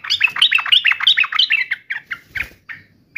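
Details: Sooty-headed bulbul, fired up and fighting, pouring out quick bubbly chirps that slow toward the end into spaced single notes.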